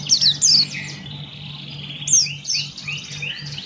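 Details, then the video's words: Buxton's white-eye in 'ngalas' song: a few sharp, high falling chirps followed by softer, lower smeared warbling notes, with background hiss and low hum. "Burung Pleci Buxtoni Gacor Ngalas Buka Paruh"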